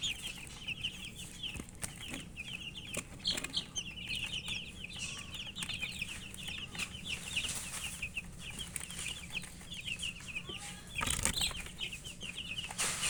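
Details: Chicken chicks peeping while they eat; a lively run of high cheeps fills the first nine seconds, then fades to a few scattered notes, with pecking clicks and a loud rustling burst near the end.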